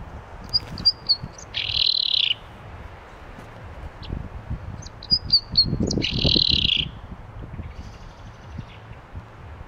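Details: Common chaffinch, Turkey, recorded on a Fujifilm X-T3: two matching phrases about four seconds apart, each a few thin high chips followed by a harsh buzzy flourish lasting under a second, over low rumble.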